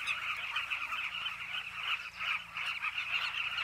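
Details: Many Southern carmine bee-eaters returning to nesting holes dug into a Zambezi River bank in Zambia, giving a steady mass of overlapping throaty, trilled calls with no pause, a faint low hum beneath.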